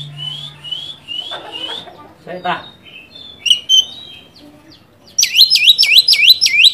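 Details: Oriental magpie-robin song for provoking a rival: rising whistles and scratchy harsh notes, then a loud rapid series of six looping swoops repeated about three per second.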